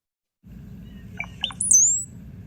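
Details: Brown-headed Cowbird song: a few low, liquid gurgling notes at the beginning, then a thin, very high whistle that slides downward, over a faint low hum.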